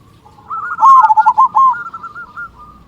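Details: Local zebra dove noted for a big 'kung' voice, used to provoke other zebra doves to sing. A single rolling phrase of quick staccato coos swells, then fades into softer trilled notes.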